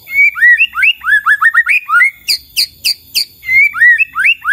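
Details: White-rumped shama singing actively, a song meant to get other shamas answering; quick run of clear whistled, upslurred notes around the same pitch, a burst of short sharp high chips, then the whistled upslurs return.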